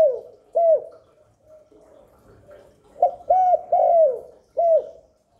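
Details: Spotted dove cooing to lure wild doves to the spot and stimulate newly kept ones: a soft low hollow note, then several louder ringing coos, the last drawn out and falling, repeated in phrases in a quiet setting.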